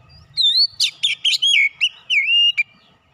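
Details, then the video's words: Oriental magpie-robin with a fighter character singing loud, fluid whistles with sharp accented notes and downward slurs, in a phrase lasting about two seconds. "Kacer bahan cepat keluar karakter fighter"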